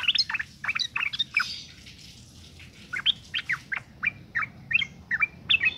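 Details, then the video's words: Female sooty-headed bulbul in breeding condition calling to males, used as a lure to make males sing: short bubbly chirped notes in quick bursts, a pause of over a second, then a longer run of spaced chirps. "suara panggilan burung trucuk betina gacor birahi"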